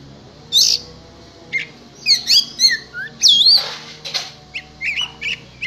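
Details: Oriental magpie-robin (kacer) readied for contests: sharp slurred whistles, looping notes and short chips scattered through the recording, over a noticeable background hum.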